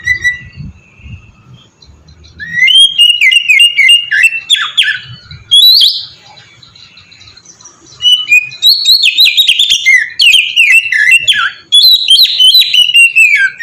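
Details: Oriental magpie-robin singing in the melodious ngeplong style, used as a lure to get other magpie-robins singing: bursts of loud, varied whistled notes slurring up and down, with a quiet gap midway and faint low rumble beneath.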